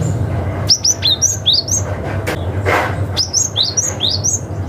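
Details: Cinereous tit in wild forest style calling to rivals, used to lure young forest birds: rapid runs of thin, high, downward-sweeping chirps in two bursts separated by a brief pause, with a constant low hum beneath.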